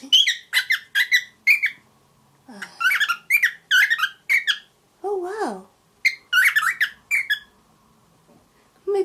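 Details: Seven-month-old grey cockatiel, formerly aviary raised, babbling indoors as it begins imitating speech; rapid series of squeaky chirped syllables, a drawn-out wavering lower phrase mid-way, then more chirps, a woman's voice encouraging it.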